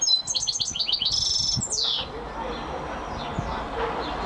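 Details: European goldfinch, a champion singer, delivering a rapid series of bright, high tinkling notes and a sharp downward-sweeping trill in the first two seconds, then fainter twittering over a soft background hiss.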